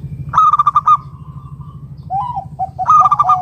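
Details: Zebra dove of local wild stock calling to lure others: a rapid pulsed coo phrase, a fading tone, then lower broken coos leading into another fast pulsed burst, with background hum.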